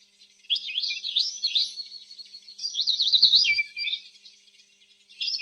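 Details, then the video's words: Canary singing a continuous high warble with rapid zigzag trills, louder in the middle, fading near the end before a new phrase begins. "صوت الكناري الأصلي | Canary Chirping Sounds"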